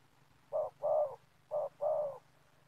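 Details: Spotted dove cooing at a community oil palm plantation during trapping with a lure, two pairs of hollow notes, each a clipped coo followed by a longer slightly falling one, over a soft low drone.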